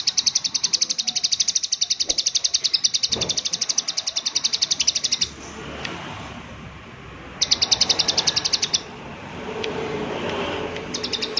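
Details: Prinia calling 'klik klik': a long, fast train of sharp, high clicks for about five seconds, then a shorter burst and a few scattered clicks among soft outdoor noise.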